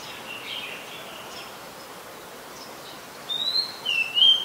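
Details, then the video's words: Oriental magpie-robin, a very common resident, singing in Ubon Ratchathani, Thailand, on 2 July 2022, recorded with a Nikon P1000; a few clear whistled phrases arrive late, after a faint hissy background. "นกกางเขนบ้าน Oriental Magpie Robin (singing)"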